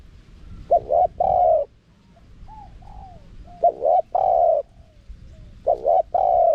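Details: Spotted dove in wild 'karom pa' style with 'khat', 'nun' and 'ku ang' phrases, for luring wild doves; three double-note-and-long-coo phrases with soft, quiet notes in the pauses.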